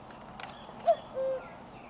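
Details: Common cuckoo heard close by on 4 June 2023, one clean two-note call, a brief higher note followed by a longer, steady lower note, with faint bird chatter behind.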